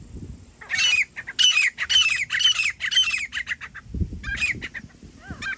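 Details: Grey francolin, hunting setting: loud, harsh squawking calls in a rapid series of about two per second, briefly broken by rustling, then more scattered sharp notes.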